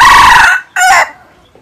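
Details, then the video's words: Closing part of a red junglefowl's crow, a loud rasping drawn-out phrase trailing off, then after a brief gap a short abrupt final note and silence. "tiếng gà rừng rặc gáy chuẩn mp3( suab lâu qaib qug qua zoo)"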